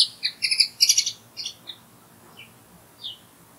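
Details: Common linnet singing alongside other nearby birds: a lively burst of high, twittering chirps and buzzy notes in the first second and a half, then scattered single sharp notes, fading out.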